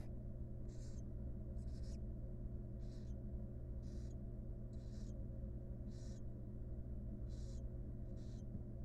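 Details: Wild barn owl family in a nest box as the mother grooms her young; a steady series of eight short, noisy hissing bursts about one per second, over continuous low-pitched hum.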